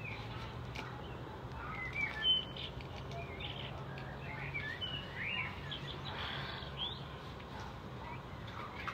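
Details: Birds chirping in the evening, sharp high tweets and quick twittery notes coming from several directions over constant low rumbling noise, with a few louder chirps standing out.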